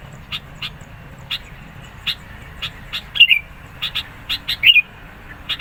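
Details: Sooty-headed bulbul in persistent song meant to challenge rivals and draw birds in: irregular sharp chirps every half second or so, with two louder warbled, falling phrases in the middle of the clip.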